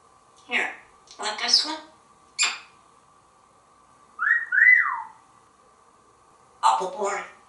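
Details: Very talkative pet African grey parrot kept indoors in Texas, mixing quick speech-like syllables with a two-part rising and falling whistle, then another burst of mimicked words; constant low household hum beneath.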